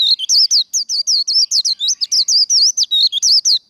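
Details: Rapid líu đấu song of a Japanese white-eye, used to fire up birds for contests: a steady chain of short, looping high whistled notes, roughly five per second, sometimes dipping lower between the higher ones.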